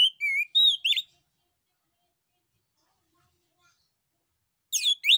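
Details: Male orange-headed thrush singing to provoke answers from other birds: a warbled, whistled phrase with a downward slide, a pause of several seconds, then a brighter burst of notes.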